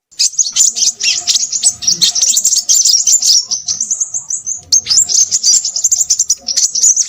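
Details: Noisy crimson sunbird delivering quick, high-pitched twitters and trilled phrases, easing briefly near four seconds before picking up again.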